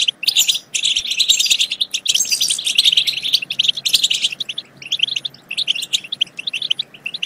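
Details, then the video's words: Goldfinch song used to excite goldfinches into singing and mating, delivered as dense continuous twittering with buzzy, tinkling notes, broken by brief gaps and a few faint clicks. "بتبتات خرافية في تحفيز الحسون على التغريد"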